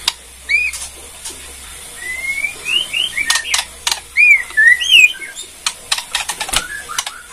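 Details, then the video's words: Borneo white-rumped shama singing kretekan, a song meant to trigger other shamas: sharp clicks interspersed with clear whistled upslurs and short looping notes, a quiet hum underneath. "KRETEKAN MURAI BORNEO PEMBANGKIT EMOSI // HITUNGAN DETIK MURAI MANAPUN LANGSUNG NYAUT BUNYI NGEPLONG"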